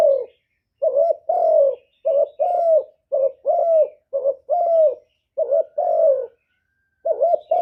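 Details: Spotted dove lure call, used as a decoy to draw in wild doves: paired, low mellow coos, a short double note followed by a longer falling one, repeated in a steady series with brief pauses, no other sounds.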